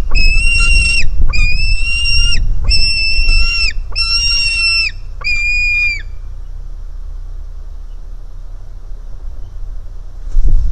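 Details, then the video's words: Hungry White-tailed Eagle chick at the nest as its sibling flees: five evenly spaced, loud whistled squeals about one per second, then near silence with low rumble and a brief noise at the end. "A hungry Suvi jumps to Mom"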